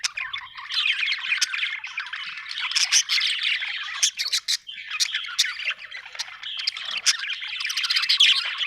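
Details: Cheerful budgerigar chatter: continuous scratchy warbling mixed with sharp high clicks and squeaks, running in bursts with short dips in loudness around the fourth and sixth seconds.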